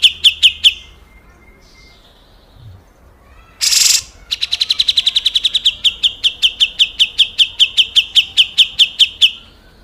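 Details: Grey-cheeked bulbul giving rough besetan calls, recorded as a clear master for training caged green leafbirds and white-rumped shamas: a few high sharp notes, a brief harsh hissing burst, then a long fast series of evenly spaced piping notes.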